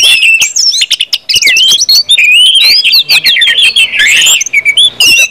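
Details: Orange-headed thrush in ngeplong style, a continuous open song played to prompt other birds to sing: fast, varied whistled phrases, rising and falling slurs and chattering notes, nearly unbroken for five seconds.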